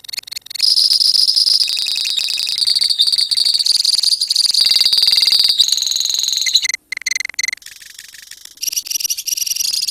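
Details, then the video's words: Colony of lovebirds giving the long trilling song known as ngekek: a dense, buzzy, high-pitched continuous trill with abrupt breaks, fading to scattered sharp chirps before rising again. "KICAU LOVEBIRD KOLONI INI TERBUKTI HANYA BUTUH WAKTU 4 MENIT SAJA LANGSUNG NGEKEK"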